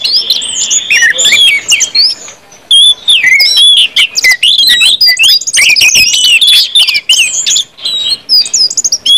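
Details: Orange-headed thrushes in continuous ngeplong song, used to get other birds singing: fast, varied whistled phrases swooping up and down, dense and overlapping, broken by one short quiet gap.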